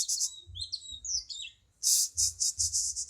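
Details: Cucak cungkok bulbul, high tutor song for songbirds: twisting whistled slurs, then a loud run of pulsed, buzzy high notes repeated quickly, with faint low hum.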